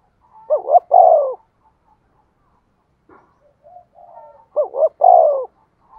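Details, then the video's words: Cooing of a decoy spotted dove meant to make other doves answer. Two clear phrases of a clipped double note then a long, lower sliding coo, with faint soft calls between them. "tiếng cu mồi thúc bổi"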